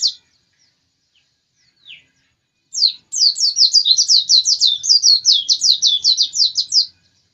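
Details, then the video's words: Persistent singing from a white-eye (pleci): a couple of isolated thin high notes, then a dense four-second burst of quick, sweet, descending twitters run together into a lively warble. "Pleci ngotot kicau"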